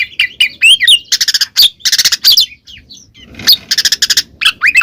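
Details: Ngeplong song of the kacer, or Oriental magpie-robin, intended to make a silent bird sing back: clear whistled slurs, repeated rattling buzzes in quick series, and sharp rising notes after a short pause.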